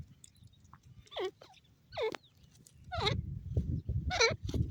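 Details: Grey francolin, or teetar, calling: several harsh rasping descending notes spaced about a second apart, accompanied by a rumbling low background noise that grows louder toward the end.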